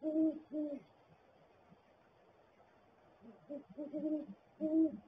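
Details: Pair of great horned owls at a nest barrel in winter, the male coming in first; deep hoots near 300 with a higher overtone, two at the start and a cluster of three to four later, each about a third of a second.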